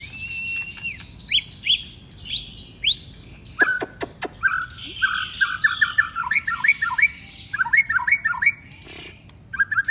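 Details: Caged white-rumped shama, bathed again and its cage covered during unfriendly weather; loud varied song of clear whistles, sharp downslurred notes and quick rolling phrases of rapid warbled notes.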